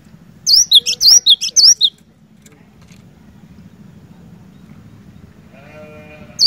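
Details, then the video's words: Energetic cinereous tit song meant to prompt a lazy bird into singing: about six fast, high, ringing two-note phrases, a long pause over a steady low hum with a brief buzzy note, then the song starts again. "Burung Glatik Batu Gacor, Cocok Buat Mancing Glatik Malas BUNYI"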